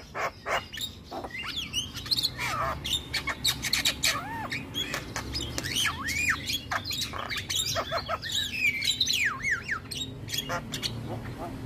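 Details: Male Javan myna song, used as a training recording meant to agitate other mynas: a dense run of harsh squawks, scratchy buzzes and looping whistled notes, with clicks between phrases and a low steady hum underneath.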